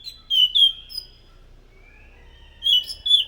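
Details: Chestnut-capped thrush giving loud, high whistled phrases used as lure sounds: a pair of sharp slurred notes, a quiet gap with a faint thin whistle, then two more bright notes.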